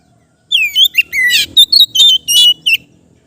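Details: Oriental magpie-robin singing a relaxed ngeplong-style song, played to train untrained kept birds: a falling whistled slur, a low drawn whistle, then a rapid run of harsh buzzy notes and short sharp whistles for about two seconds.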